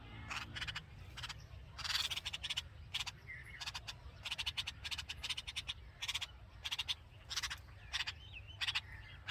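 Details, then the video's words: Nest of hungry red-vented bulbul young with the mother present, giving a long run of harsh, buzzy chirps repeated several times a second in pulsing groups, over a quiet low hum. "Hungry Baby Birds: Red Vented Bulbul Nest With Babies And Mother Chirping Sound"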